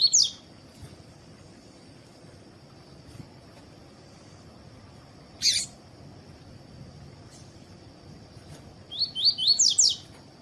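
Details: Double-collared seedeater (Sporophila caerulescens), kept by breeders for song tournaments: brief, high twittering song phrases at the start, midway and in a longer closing run over a thin steady whine, played to warm up other birds to sing.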